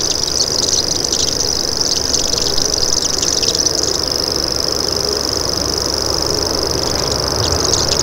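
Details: Common grasshopper warbler giving its insect-like, high-pitched buzzing reel, an unbroken fine trill held through the whole stretch, with brief chirps of other birds over it and a steady low rumble beneath.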